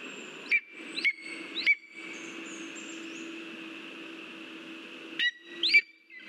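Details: Lesser spotted eagle at its nest as a mouse is delivered, 13 August 2023: three sharp, high yelping notes in quick succession, a pause, then two more, over steady background hiss.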